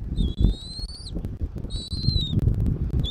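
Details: At a Southwest Florida nest on 13 January 2024, a bald eagle gives two long, high, thin whistles, each slightly rising before breaking off, plus the start of a third, over low wind rumble.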